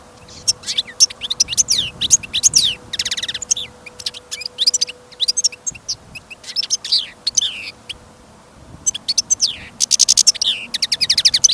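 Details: Caged European goldfinch kept for listening sings steadily in winter snow and wind: long sequences of high, fluid twitters, slurred whistles and rapid trilled runs, with short gaps between phrases.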